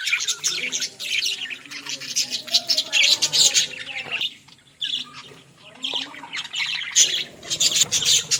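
Parrots chatter in a dense, continuous mix of high squawks and chirps, with faint low tones underneath and a brief quieter pause partway through.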